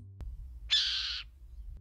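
A Burrowing Owl gives a single harsh, hissing screech lasting about half a second.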